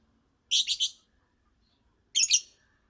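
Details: Lovebird singing: two short bursts of high, scratchy chirps, each with two or three quick notes, about one and a half seconds apart, in a quiet setting.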